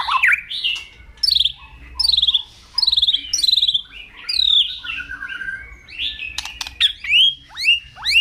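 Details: Morning song of a white-rumped shama, loud and varied: repeated sweeping downslurred whistles in separate bursts, rich warbled phrases, sharp clicking notes and rising whip-like whistles toward the end, with a faint low hum behind.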